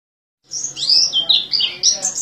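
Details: Oriental white-eye in "teler" singing style, which resembles the orange-headed thrush: a short burst of high, sweet slurred whistles and twitters starting after a brief silence.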